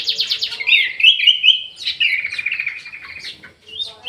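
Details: Orange-headed thrush singing vigorously in an aviary: quick stuttered notes lead into long, rich warbling phrases with trilled texture, continuing almost without pause.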